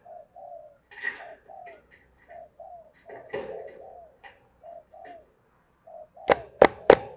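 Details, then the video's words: Spotted dove cooing to provoke a fight, soft low hoots repeated rapidly and unevenly, with a few scratchy higher notes in between and three sharp loud clicks near the end. "Cu gáy thúc đấu/ Chiêu Gù"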